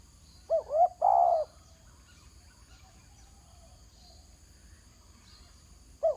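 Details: A ground-calling spotted dove gives one full phrase of two short coos and a drawn coo, followed by a long pause, then the start of the next phrase. A faint high hum continues throughout.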